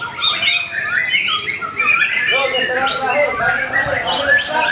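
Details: Singing white-rumped shama, a recording meant to draw other shamas into song. Rapid varied warbled phrases mixing mid-pitched whistles with higher buzzy trills and sharp clicks, continuous throughout.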